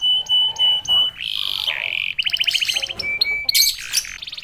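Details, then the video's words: Canary singing to provoke other canaries: pure held whistles in short bursts, a drawn-out buzzy note, a quick rattle, then sharp high chips and bright metallic tones. "KENARI GACOR||038|| Jagonya memancing EMOSI kenari cepat bunyi."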